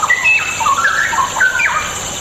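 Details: Straw-headed bulbul singing, used as bait to stir lazy birds into song: rich, liquid whistled phrases with quick up-and-down slurs run continuously against a constant rushing hiss.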